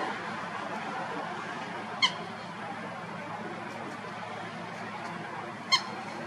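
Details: Common Gallinule in Florida giving two short, sharp, squeaky call notes about three and a half seconds apart over a steady background hiss.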